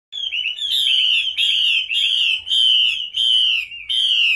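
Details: Female wild-caught Chinese hwamei (Garrulax canorus), call: loud, buzzy, wavering high notes in rapid phrases with short breaks, repeated almost without pause, over a faint low rumble.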